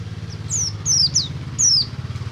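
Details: Oriental white-eye singing to prompt other white-eyes into song: a few high, thin downward-slurred whistles spaced irregularly, with a steady low rumbling hum underneath.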